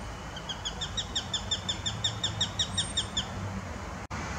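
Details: Eurasian sparrowhawk chicks at the nest, 26 days old, 24 June 2018 in Romania, on the day the second chick, a female, fledged; a rapid series of thin, high, downslurred piping notes, about three per second, over a low steady rumble.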